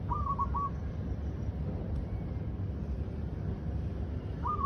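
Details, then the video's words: A female dove gives a quick run of four soft, hooting coos, then starts another phrase about four seconds later, over a steady low rumble of wind or distant noise. "Listen to this dove mom singing her heart out!"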